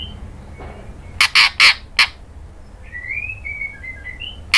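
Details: Female White-rumped Shama calling to a male, a kretekan call used as a lure: four harsh, dry rattling bursts in quick succession, followed after a pause by soft, thin sliding whistles and a final sharp click.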